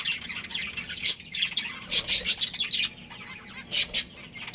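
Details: A budgerigar breeding pair gives a continuous, rasping warble broken by short, bright, loud chirp bursts in small clusters.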